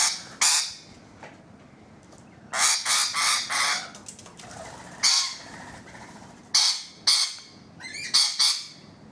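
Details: On a balcony, rainbow lorikeets utter loud grating screeches in clustered bursts, groups of two or three rasping shrieks separated by quieter pauses, repeated across the recording.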